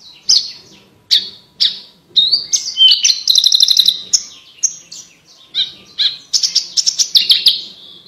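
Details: Energetic Javan bush lark in full song with clear, crystal-toned vocals, used as tutor material for competition birds; rapid varied chirps, trills and high whistles, including a fast rattling burst midway, with short pauses between phrases.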